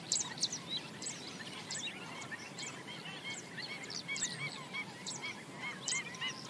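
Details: Black-winged stilts foraging along the banks of a swamp, a dense chorus of short, nasal yapping notes repeating rapidly and overlapping from several birds, with thin high ticks above and a steady background hiss.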